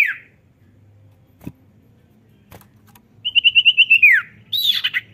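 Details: Ngetroll-style gacor song of a cipow (common iora), played to coax lazy birds into singing: one brief falling note, a quiet gap, then a quick run of rippling whistled notes sliding down, followed by a burst of harsher chatter.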